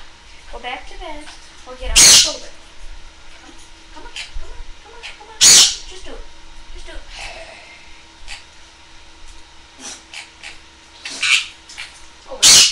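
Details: A female sun conure, reluctant to leave her cage and wanting to go to bed, gives loud, harsh, grating squawks in short bursts, with a person talking softly between them.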